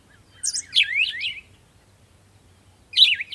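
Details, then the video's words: Morning birds chirping at sunrise: a quick series of three or four sweeping, zigzag high chirps, a silent gap of over a second, then another bright twittering burst; a faint low hum below. "Morning Sunrise and Birds sound"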